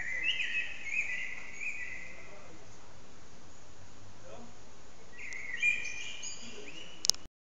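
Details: Blackbird singing loudly in a resonant backyard, captured by phone: a warbling phrase at the start, a long pause of background noise, then another twittering phrase before the recording ends abruptly.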